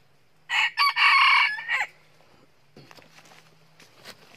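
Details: Wild red junglefowl rooster crowing very loud just before running into a fight with another rooster while being trapped by a foot lasso; a clipped crow of short harsh bursts and a strained, drawn-out final note, then faint rustling over a low hum.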